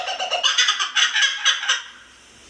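A kookaburra gives a burst of harsh, cackling laughter, rapid rasping notes about four per second, then cuts off into quiet.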